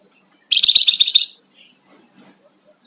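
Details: Flamboyan songbird, actively singing, gives one loud, fast, buzzy rattling trill of about eight pulses lasting under a second, followed by near silence and a few faint soft notes.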